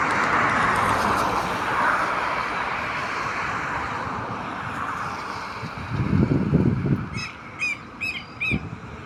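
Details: Southern lapwing calling outdoors; after several seconds of traffic rumble, four sharp, harsh, high-pitched calls come in quick succession near the end, over continuing road noise.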